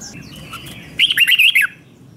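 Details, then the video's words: Red-whiskered bulbul, a bird trained for singing competitions, singing to provoke rivals: a brief burst of bright, warbled notes swooping between high and mid pitch, lasting under a second after a quiet start. "Kích Chào Mào Hót Ché |Kích chào mào hót đấu"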